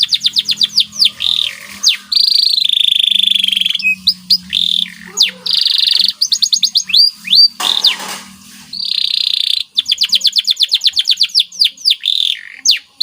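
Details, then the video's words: White canary performing a lengthy masteran training song in gacor style: alternating fast rolled trills, buzzy sustained phrases and sharp downward whistles, with a brief noisy burst midway. "CANARY Gacor Cengkok Istimewa"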